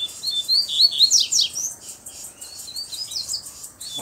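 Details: Double-collared seedeater, black with a bluish-white bill, sings a rapid burst of high whistled slurs and steep downward sweeps, then softer wavering notes, in a challenge to another male.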